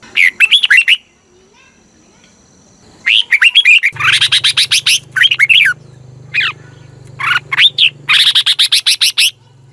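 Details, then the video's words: Red-whiskered bulbul from Thailand singing to excite caged birds: long runs of rapid, clipped whistled notes in several phrases, with a steady low hum running under the second half. "เสียงนกกรงหัวจุก สำหรับต่อ หรือ เปิดให้นกคึก"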